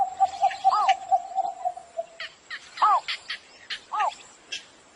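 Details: Cinnamon bittern morning call: a short train of steady mid-pitched notes, then several loud arched, rise-and-fall calls about a second apart, amid busy high chirping from other birds and a steady high hiss.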